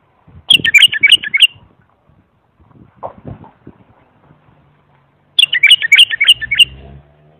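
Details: Bulbul singing clearly as a teaching model for young bulbuls: two bright bubbling phrases of quick up-and-down whistles, with soft lower rustling and a faint rumble in between.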